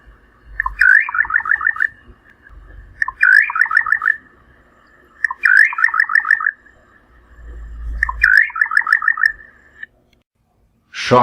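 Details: Little Nightjar in the Brazilian Cerrado repeating a phrase about every two and a half seconds, four times: a single upslurred note, then a quick run of about seven clipped notes. A low rumble sounds underneath, and a voice starts at the end.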